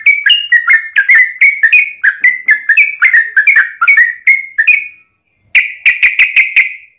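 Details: Fighting song of a yellow-vented bulbul, used to provoke other bulbuls into singing: five seconds of rolling, bubbly two-note phrases, then after a brief gap a quick burst of rapid notes.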